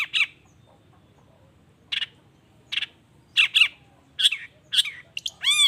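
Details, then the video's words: Long-tailed shrike giving lure song meant to make other shrikes answer: isolated harsh buzzy notes spaced a second or more apart, speeding into closer squawks and ending in a ringing, bell-like arched call. "Cendet Gacor Efektif Pagi Siang Sore Rajanya Bikin Cendet Lainya Spontan Nyaut Bunyi Penuh Emosi"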